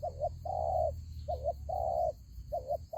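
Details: Spotted dove used as a ground lure bird in a fighting trap: low cooing phrases alternate short doubled coos with longer drawn-out mellow coos, repeated steadily, over a low background hum.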